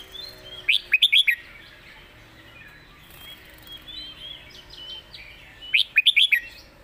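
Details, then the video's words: Red-whiskered bulbul, a singing competition bird, with clearly phrased master song: two loud runs of rapid warbled notes five seconds apart, with soft chirps of other birds between them. "เสียงดี''สำนวนชัด เพลงแม่บท/นกแข่ง#เสียงนกกรงหัวจุก"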